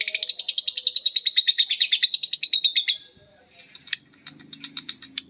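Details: Lovebirds answering each other in a long ngekek: three seconds of rapid high rhythmic chattering, then a pause and scattered sharp chips over a soft low hum.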